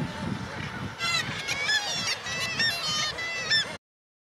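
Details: Chorus of kittiwakes at an inland colony on a mill building in Gateshead beside the Tyne; from about one second, several birds give nasal, rising-and-falling harmonic calls in quick succession, over low traffic-like rumble, ending abruptly before four seconds.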